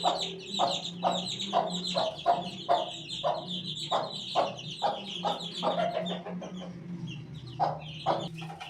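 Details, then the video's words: Chicks eighteen days old give a steady stream of high, thin peeps, roughly two per second, over repeated dry clicks and a soft low hum in the background. "18 days old chick"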